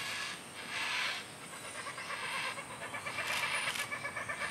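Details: Yellow-tailed black cockatoos in a tree, a mother feeding her chick macadamia nuts just picked from a neighbour's tree; harsh, wheezy, grating bursts around one second and again near the end, with steady background hiss.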